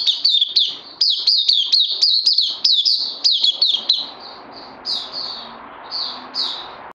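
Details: Oriental white-eye (puteh), a kept bird on day 2 of combined Lava and Life Force supplements, 31 May 2020; fast, high twittering chirps packed in bursts for about four seconds, then sparser thin whistled phrases over faint background hiss.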